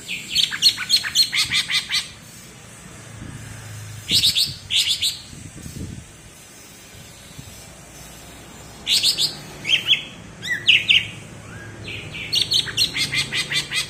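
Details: Cucak ijo of Alas Purwo, Banyuwangi, singing its characteristic bebeci song: rapid strings of clipped high notes and slurred whistles in short bursts separated by quiet gaps of a few seconds.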